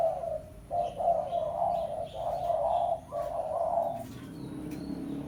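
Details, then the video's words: Spotted dove in 'pesom' lure style calling to a rival, a run of nearly continuous low mellow coos for about four seconds, then quiet with a soft low hum. "Suara Pikat Tekukur Pesom - Tekukur Pikat Suara Memanggil Lawan"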